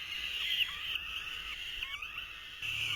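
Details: Falcon chicks at the nest in 2023 while the male tries to feed them: a continuous harsh, raspy screaming with a few short rising notes breaking through.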